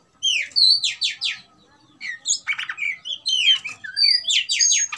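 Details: Oriental magpie-robin singing in fighting mode, used to provoke rival birds into anger. Rich, fast phrases of loud whistles mixed with buzzy trills and chattery bursts, with barely a pause between them.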